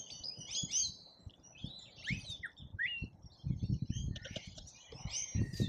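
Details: At a feeder in Australia, rainbow lorikeets make scattered shrill squeaks and sharp rising and falling screeches, with rustling and knocking from the birds moving about.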